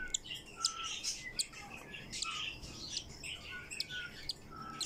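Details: Cockatiel chick on its second day of life, squeaking: soft thin peeps and short tonal chirps, irregular, several per second, faint against a quiet indoor background.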